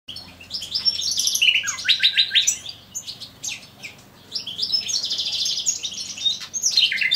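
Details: A male common nightingale in an aviary sings rich, varied phrases of fast trills, rattles and sweet whistles, with a brief pause between two bursts; a faint low hum underneath.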